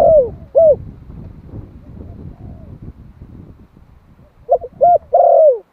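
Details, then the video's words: Malai-strain spotted dove, one year old, giving its luring call. Two closing coos of one phrase open the recording, a noisy pause with low rumble follows, then a new phrase of paired coos and a long descending coo. "Tiếng chim cu gáy Malai kích bổi - Thanh niên Malai 1 năm tuổi gáy gọi nghe giọng quá phê."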